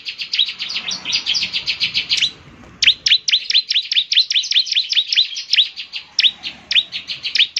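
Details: Energetic song of a bar-winged prinia, used to get other prinias answering. A dense rattle of high notes gives way after a brief pause to a longer run of crisp, evenly spaced chips.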